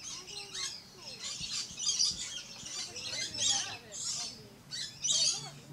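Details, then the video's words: Red-collared lorikeet in a Florida safari park, screeching in harsh high bursts about every second, with quieter twittering underneath. "Red-Collared Lorikeet Bird"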